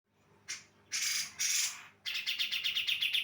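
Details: Female Javan brown-cheeked bulbul singing as a lure to draw answering males: a few harsh, hissing bursts, then a fast run of sharp, bright chirps repeated about three times a second.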